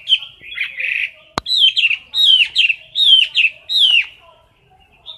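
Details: Caged Chinese hwamei singing in competition style, close to the camera: a sharp click, then bright whistled phrases repeated in short bursts, each a downward-curling note with a buzzy edge, before falling quiet.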